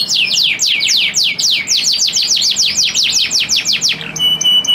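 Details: Male canary singing to a female in breeding condition; a steady train of high, downward-sweeping whistles repeated several times a second, closing on a brief clear held tone.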